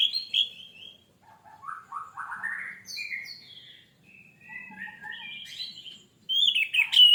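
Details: Varied orange-headed thrush song played as a lure to start birds singing: a string of separate whistled and slurred phrases jumping between higher and lower pitches, ending in a loud, sharp rising burst.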